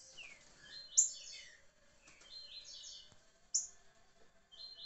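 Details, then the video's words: Green-winged saltator (trinca-ferro) singing in the style called liso curricutil: quick phrases of slurred, descending warbled notes, with a sharp bright high accent near the first second and again near three and a half seconds, over a faint steady low hum. "trinca-ferro liso curricutil"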